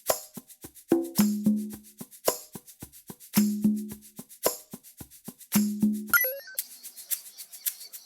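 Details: Percussive music of wood blocks and shakers, ending in a short run of descending synthetic tones.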